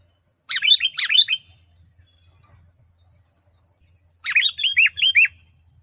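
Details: Sooty-headed bulbul singing energetically as a lure sound: two bubbly bursts of quick, rising and falling whistled notes, each just under a second, about four seconds apart, over a constant faint high-pitched tone.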